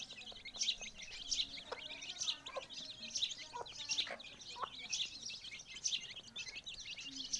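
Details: Chicks with their mother hen, heard as steady high-pitched cheeping from several young birds and a few faint low clucking notes.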